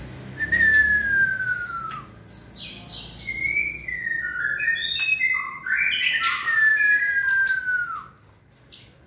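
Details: White-rumped shama in peak 'fire' condition, 2020 season, sings a varied run of loud whistled phrases: long falling whistles, short rising slurs and high bright notes, with occasional sharp clicks between phrases.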